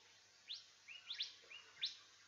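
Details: Golden Whistler giving short, sharp upslurred notes, several in quick succession over two seconds, high and clear against a quiet background; apparently its contact call, one of four calls in its repertoire.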